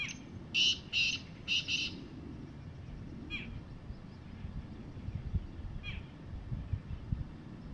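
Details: Evening call of a wild black francolin on the ground: four harsh, buzzy notes in two quick pairs open the recording, then only faint distant chirps over low rumbling background noise.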